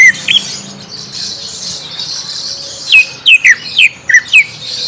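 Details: Song to coax a young green leafbird into answering: two early whistled notes, a quiet pause, then a quick series of six clear, downward-sliding high whistles.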